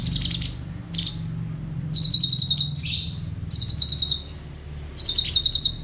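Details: Cucak cungkok song with clear rhythm and fast rolls: dense high buzzy trills of rapid pulses, each burst about a second, coming in quick succession with one lower sliding note midway.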